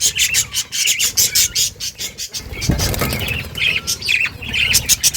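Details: Colony of Australian budgerigars breeding in a home cage; rapid harsh chirps and chatter from several birds with a burst of fluttering wings near the middle.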